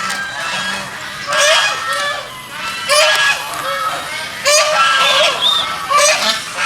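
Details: Several geese swimming in a pond, giving loud, harsh, nasal honks rich in overtones. The honks come in bursts about every one and a half seconds, with calls overlapping, and a brief higher whistled note near the end.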